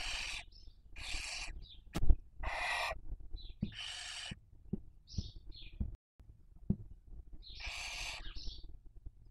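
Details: Nesting barn owls raising young, Cabañeros National Park, Spain, breeding season 2023, on a nest webcam: several drawn-out rasping hisses, brief high squeaky chirps between them, a few soft knocks and scrapes in the nest.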